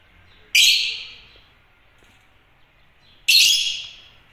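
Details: African lovebirds (Agapornis) giving two loud, shrill, harsh chirps about three seconds apart, each sharp at onset and trailing off quickly, with a quiet background between them.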